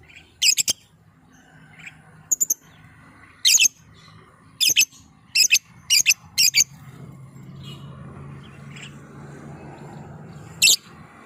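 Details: Lovebird luring call, meant to trigger other lovebirds to call: a run of loud, shrill, screechy chirps, some doubled, fairly evenly spaced, then a pause and one last shriek, over a low hum.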